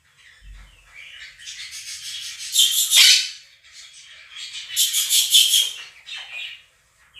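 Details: Two pet Quaker parrots screaming over a played recording of a budgie flock's chatter and song: harsh, buzzy, high squawks in two loud bursts of about two seconds each, separated by softer twittering.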